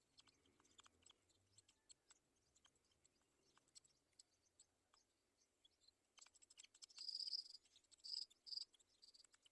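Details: Black-shouldered kite chicks watching mice while waiting to be fed give thin, high, wheezy begging squeals in three short bursts near the end, over faint ticking and rustling.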